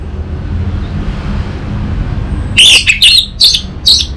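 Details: Orange-headed thrush master song for coaxing an untrained bird into singing: after two and a half seconds of low background rumble, four loud, clear whistled notes follow each other at roughly half-second intervals.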